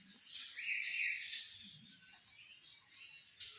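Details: Common hill myna relaxing in a garden: loud, rich whistled notes with a sustained ringing phrase around one second, then softer scattered whistles.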